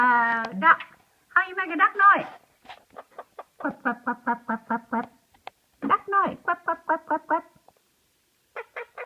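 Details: Tony, a 3-year-old talking Quaker (monk) parakeet that speaks about 40 words, mimics a duck with a run of short, nasal, evenly spaced quack-like notes.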